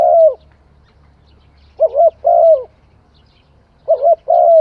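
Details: Spotted dove cooing: short, husky coo notes with a gentle falling tone, one single note then two quick pairs, separated by pauses of over a second, over a faint low background hum.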